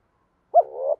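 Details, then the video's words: One spotted dove note, meant to urge lazy cage doves to answer: a sharp upward-bending start that flows into a longer, slightly rising hollow coo, alone in silence. "giọng chim cu gáy thúc gù dồn ép bổi lười gáy ức chế phải gáy theo"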